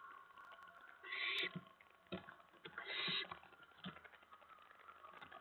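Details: Night at an owl nest, 10 September 2017 near 2 AM, with owlets receiving delivered mice. Two breathy rasping hisses stand out among soft clicks and shuffling noises.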